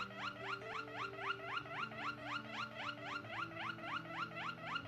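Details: Singing white Waterslager canary, a breed from Belgium: steady series of upward-swooping notes, roughly four per second, regular and unbroken across five seconds, over low humming background.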